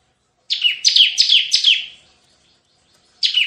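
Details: Bar-winged prinia singing its 'tembakan' (shooting) style song, a lively bird kept for luring and tutoring other birds: four quick downslurred chirps in a rapid burst, a pause, then another phrase begins.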